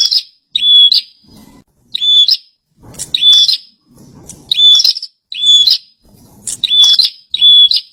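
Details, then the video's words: Vigorously singing kept bar-winged prinia: eight or so quick phrases, each a bright level high whistle bracketed by buzzy scratchy notes, roughly one per second, with faint low rustling behind. "Pranjenak gacor"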